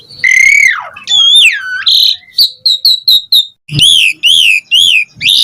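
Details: Asian pied starling in showy varied song used as a lure for other birds to sing; a long rich whistle falling away, a looping slurred whistle, a fast series of short clicks, then repeated arched whistles.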